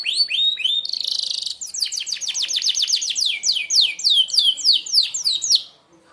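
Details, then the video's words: Sharp shot song of a merlok canary, used to train other birds: a few arching whistles, a buzzy trill, then a long fast volley of descending whistled notes ending abruptly. "tembakan tajam kenari merlok, sangat ampuh buat pemasteran burung anda"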